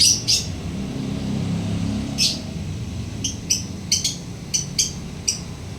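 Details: Lovebird making brief, sharp, high chirps scattered irregularly, several quick single notes near the end, with low background rumble.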